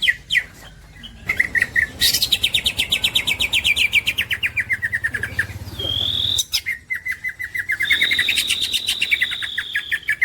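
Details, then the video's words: Green leafbird, a champion masteran songbird: a descending rapid trill, a pause, then a steady whistled note and more fast repeated chirps. "There is no doubt that this green cucak bird is a super luxurious suwara."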